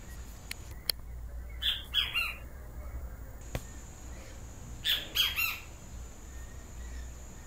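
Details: Great Kiskadee, or benteveo, with its yellow crest, calling in two loud bursts of three harsh, shrill notes. A few sharp clicks and a steady hiss are heard in the background.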